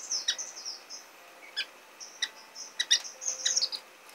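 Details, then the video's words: Orange-cheeked waxbill at the nest while feeding young: high, thin squeaky chirps in short runs, fading into a pause, then sharp clustered tweets toward the end. "橙頰梅花雀(育雛)/Orange-cheeked Waxbill(Feeding Baby)"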